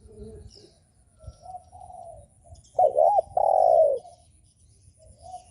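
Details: Spotted dove cooing to provoke other doves: soft distant coos, then a loud phrase of a wavering double note and a long falling coo, then quiet coos again.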